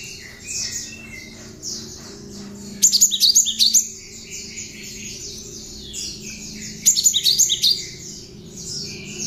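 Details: Song of a cinereous tit mixed with bar-winged prinia notes, used as training for other songbirds. Two loud, rapid strings of sharp high notes about four seconds apart rise above continuous thin high background chirping.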